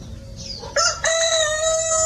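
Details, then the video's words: Chicken-farm rooster starting a crow with two short abrupt syllables, then a loud sustained level note carrying to the end; a fainter crow is heard just before. "The Rooster's Crow: The Sound of a New Beginning"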